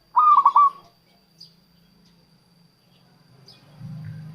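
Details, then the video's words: Local zebra dove used to attract wild doves: a single quick trill of four or five clipped coos, followed by quiet and a low rumbling hum at the end. "suara perkutut lokal untuk pikat dan pancingan"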